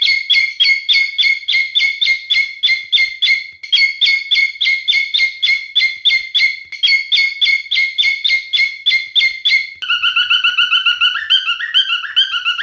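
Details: Male cockatiel singing a long train of sharp, evenly spaced chirping notes for about ten seconds, then switching to lower, flowing whistles.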